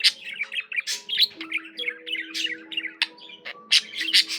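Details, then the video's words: Vigorous budgie song packed with shrill squawks, chirps and grating twitters in quick succession, several loud sharp accents near the end, over quiet sustained background tones. "Peaceful, relaxing budgie sounds for your bird"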